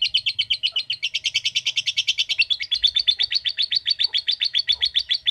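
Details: Lovebird typing-style ngetik chatter forming a long ngekek. A continuous fast run of buzzy, clicking notes at around eight per second holds steady for over five seconds, with faint low background noise.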